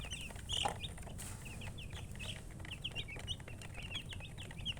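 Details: Baby chickens peeping in quick, scattered bursts of short, high, slightly downslurred chirps, several overlapping, over low background hum.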